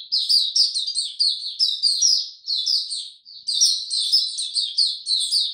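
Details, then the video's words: White-eye song on a warm, very humid day, 26 March 2022: bright, high-pitched chattering phrases of quick slurred chirps, delivered in bursts with one short gap, clean background. "Mata Puteh Hercules buka sing"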